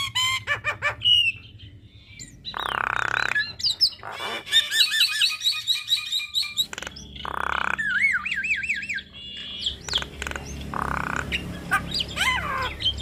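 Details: Javan myna song used as a tutor recording for young mynas, with long rolling phrases: a varied mix of harsh squawks, wavering whistles, sharp chirps and buzzy bursts, coming in quick changing phrases with brief gaps.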